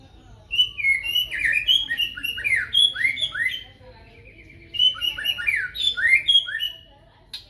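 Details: Magpie-robin singing in the morning: two bursts of varied, rich whistled phrases, slurred up and down, with rapid warbled notes and a few high sparkling notes between them, then a pause before the second burst.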